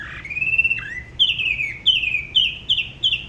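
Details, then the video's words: Spot-throated babbler from La Ba river near Da Lat, solo singing: a smooth rising whistle, a low slurred note, then five evenly spaced downslurred whistles. "Tiểu mi La Bá hót solo/ Spot-throated Babbler the best solo La Ba river"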